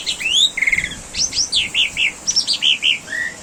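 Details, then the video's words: Master song of an Asian pied starling for training caged birds, a lively run of slurred whistled notes, a short rapid trill, then a string of bright upward and downward whistles in quick succession. "Masteran Burung Jalak Suren !! Tembakan Burung Jalak Sureen Gacorrrr"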